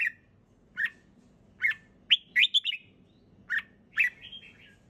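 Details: Red-whiskered bulbul singing easily and clearly: separate rich chirps, then a quick bubbling phrase of several notes and a trailing slurred whistle, against a faint low background hum.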